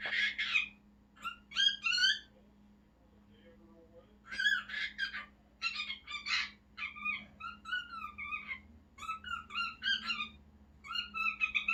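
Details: An excited pet cockatiel, watching birds outside, gives bursts of bright chirps and warbling whistles, some rising and falling, in quick clusters with short pauses, over a low indoor hum.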